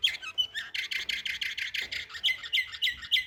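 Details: Canary in Samarkand producing a harsh, buzzy rolling tour of rapid rasping notes, followed by sharper clipped chirps repeated several times, with slight room noise underneath.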